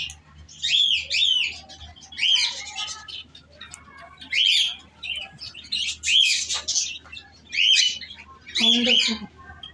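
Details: Pet cockatiel kept at home, calling in repeated short bursts about once a second, each a bright, harsh, slightly rising chirp in a high register, with brief pauses between and a quiet hum underneath.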